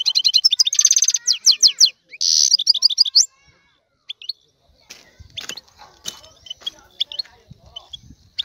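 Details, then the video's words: Aroused male European goldfinch song used to stimulate a hen to mate: about three seconds of loud, rapid, buzzing and tinkling high twitters, then softer scattered chirps and faint notes trailing off. "اقوى تغريد الحسون لتحفيز انثى الحسون"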